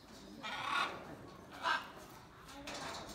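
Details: Blue-and-yellow macaw giving two harsh, raspy squawks about a second apart, broadband and fairly loud, followed by a softer third rasp near the end, with a faint murmur of background noise throughout.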